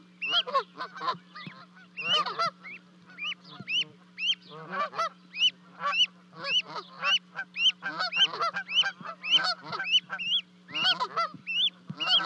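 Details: Canada geese at Charlo, Montana, 12 May 2020, as two goslings jump from a 30-foot-high nest to join Mom and Dad: sustained, rapid honking, nearly two calls a second, loud arched notes over a low hum.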